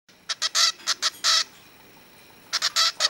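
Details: Young male cockatiel, about two weeks old, practising song as he tries to imitate his father: harsh, raspy, broadband bursts in a quick cluster, then a pause and a second run of four scratchy notes.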